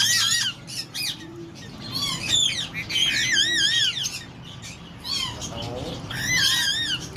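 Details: Slaty-headed parakeets, a tame talkative pair at Lalukhet birds market, Karachi: repeated bursts of shrill wavering squawks and chattering notes, a few softer chirps between, steady low hum throughout.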